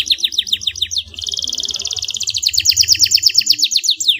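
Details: Bright canary song used to prompt a lazy bird to sing: a string of quick falling chirps gives way to a dense, even buzzing roll and then a run of rhythmic trilled notes.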